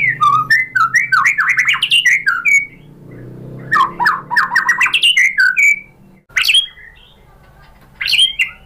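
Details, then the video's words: White-rumped shama song used to train other birds: bursts of fast, varied whistled and squawky notes in two long runs, then a silent gap, a sharp chirp, and a final short burst. "MURAI BATU jadi Gampang NYAUT GACOR BONGKAR MATERI ¦ PANCINGAN MURAI ¦ SHAMA BIRD"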